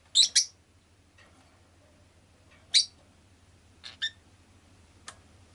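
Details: Rosy-faced lovebird kept as a pet, giving sharp, harsh high chirps: a loud double note near the start, then single shrill calls at about three, four and five seconds over a low steady hum.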